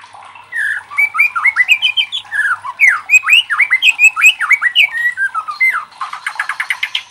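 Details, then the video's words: White-rumped shama singing as a lure for other shamas: a fast series of clear whistled slurs, each curving up or down, varied and melodic, closing with a dry rapid rattling trill. "SUARA LANTANG MURAI LAIN JADI IKUT TERTANTANG BUNYI | Pancingan murai batu bikin gacor ngeplong"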